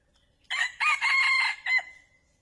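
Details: Lure call of a male wild junglefowl for trapping: a full multi-part crow with a short first note, a long ringing middle section and a clipped final note, loud and clear against a silent background.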